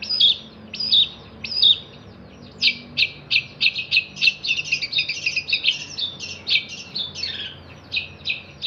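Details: Long-tailed shrike as a master singer for other songbirds: three spaced whistled phrases open, then a rapid, continuous string of sharp chirps and chattering notes.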